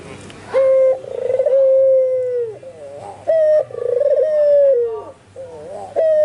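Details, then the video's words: Albino white dove, active and calling; nearby spotted doves and zebra doves answer its calls. Long, rolling, purring coos at a steady mid pitch. Each coo starts with a sharp clipped note and ends with a falling tail. The phrases repeat about every three seconds. "SUARA BURUNG PUTER PUTIH ALBINO FULL GACOR"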